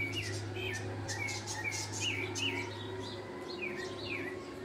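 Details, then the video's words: Sabiá singing live: a series of short clear whistled phrases in quick succession over a steady low hum and background noise. "CANTO DO SABIÁ AO VIVO"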